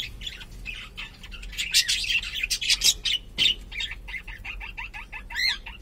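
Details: Pet cockatiel of unknown sex producing dense, harsh, scratchy chatter, then a quick regular series of short upslurred chirps, ending in a loud wavering whistle.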